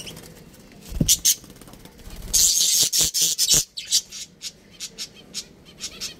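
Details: Budgerigars from a breeding pair and family: a loud burst of shrill, buzzy chatter mid-way, surrounded by sharp clicks and short tapping bursts that grow quieter and spaced toward the end.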